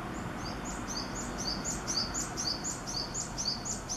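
A Japanese tit sings thin, high, two-note phrases, repeated about twice a second, over a steady low rumble of background noise.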